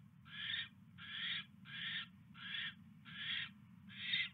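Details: At a nest on a January 2016 evening, as a mouse is delivered, an owl gives six rasping, hissy screeches spaced roughly every 0.7 seconds over a constant low background rumble.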